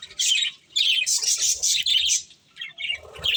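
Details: Pet budgerigars chirping as they eat corn; bursts of high, bright warbled chirps separated by brief gaps, with soft low rustles and pecks between the calls.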